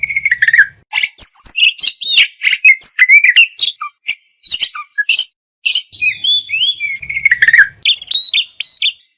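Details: Kacer, the Oriental magpie-robin, sings a varied masteran song: clear whistled phrases, sharp sweeping chips, rapid bursts and a short pause before renewed twittering.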